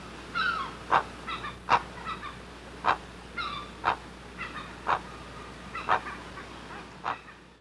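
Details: Great blue heron calling at the nest: sharp, regular clacks about every second, interspersed with short nasal squawks, against faint steady hiss.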